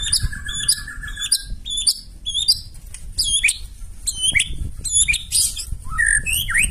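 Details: White-rumped shama giving a loud song to draw other birds into singing: repeated hooked high whistles, a short low trill, then slurred notes over steady rumbling background noise.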